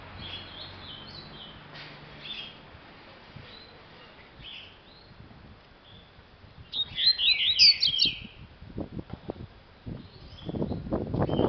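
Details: A captive rufous-collared sparrow, recently sent to a new home, gives soft, slurred whistles, then a brief, bright burst of falling notes; low thumps and handling noise follow.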